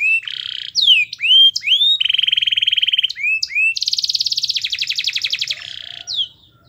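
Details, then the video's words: Canary song played as a training master so that other canaries will sing along. It is a varied, lively run of falling and rising whistled slurs, steady buzzy trills and fast rattling rolls, with loud, shifting phrases throughout. "MASTERAN KENARI GACOR Yang Lain Agar Ikut GACOR"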